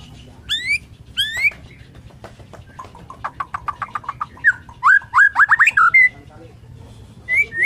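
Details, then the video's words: Morning song of a Borneo-type white-rumped shama, said to draw other shamas into singing: rising whistled sweeps, then a rapid run of clicking notes and a string of fluty rising-and-falling phrases, over a low background hum. "KICAUAN MURAI BORNEO PAGI"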